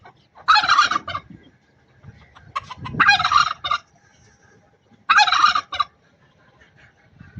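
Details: Three loud, harsh, bubbling gobbles about two seconds apart from an angry pet turkey hen in Buner, Khyber Pakhtunkhwa, with low shuffling sounds between the bursts.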